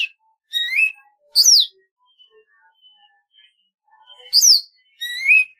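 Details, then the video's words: Alternating rising buzzy whistles and sharp high descending notes from a golden-fronted leafbird, the pair repeated after a pause filled with faint soft chirps. "tiếng chim thanh tước"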